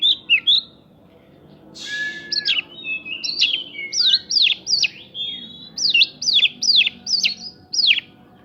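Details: White-rumped shama singing a provocation song packed with prinjak notes to stir other birds; a buzzy rasp then a series of clear descending slurred whistles repeated about every half second, evenly spaced.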